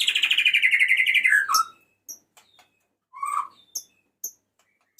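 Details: Male white-rumped shama calling a female: a loud, long, warbling whistle that slides gradually downward and ends in a lower slurred note, followed by a few short, spaced chirps and a brief whistled phrase.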